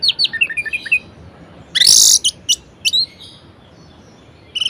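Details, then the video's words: Varied song of a kept orange-headed thrush, meant to rouse reluctant singers: fast descending chirps, a loud harsh buzzy burst, then spaced sharp notes and a final high chirp. "Anis Merah Gacor Variasi Bangkitkan Emosi Anis Malas Bunyi Agar Rajin Berkicau"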